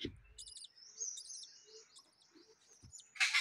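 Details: Home-kept budgerigars with newly hatched babies: thin, high chirps and a drawn-out whistled tone, a few quick stuttering notes, then a sudden loud rustling burst at the end.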